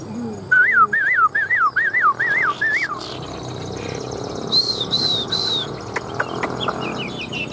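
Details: A newly acquired, robust Chinese hwamei sings while nodding its head, a run of six loud, looping whistled phrases, rising then falling, followed by higher slurred notes and sharp chips; a man talks quietly beneath.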